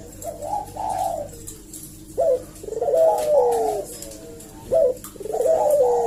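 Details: Eurasian collared dove (burung puter) cooing as a lure to provoke a reply: low mellow coos with gliding, falling tones, broken by short sharp rising notes, phrases repeating about every two and a half seconds.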